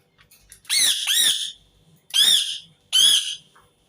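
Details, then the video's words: Indian ringneck parakeet screaming indoors: two joined harsh, rasping screeches followed by two more separate squawks, each loud and nasal with a slight rise and fall. "صوت ببغاء الدرة الهندي حفز طيورك على التغريد والصراخ"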